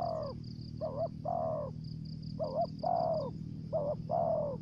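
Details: Spotted dove lure bird singing the thổ dế style with dập and the mai rừng style: three phrases, each a quick doubled note then a longer, slightly falling coo, over a low hum and faint high twittering.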